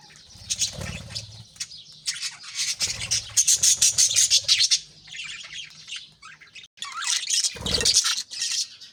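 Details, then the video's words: Aviary budgerigars at the start of the day, feeding young in nest pots; loud harsh squawks and rapid pulsed chirping, roughly two per second, with occasional wing flutters and thuds. "بجریز کی خوبصورت صبح 🦜Beautiful Morning Vibes & Chirping Sounds"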